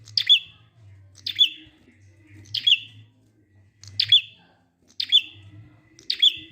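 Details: Quick series of six high, sharp prinia notes about a second apart, each with a brief level trailing note. The ngalun song is meant to lure silent prinias into joining. Low humming noise in the background.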